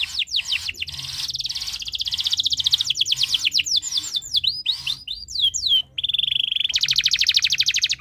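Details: Canary in breeding condition, singing to set other birds singing: rapid rolling trill, then a series of quick downward sweeping notes, a steady whistled roll and a fast pulsed trill.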